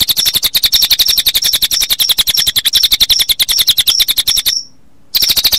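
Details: Cililin song mixed with cricket sound, meant as late-afternoon playback for birds: short bright whistled notes repeated about every quarter second, laid over a dense, fast, buzzy cricket pulse, with one brief gap.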